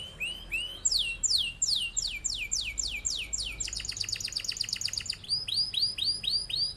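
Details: Canary in vigorous rolling song, used as a master for other birds to copy. Clear descending whistles repeated in quick runs, then a fast buzzy rattle, then curved chirps again, all crisp and loud.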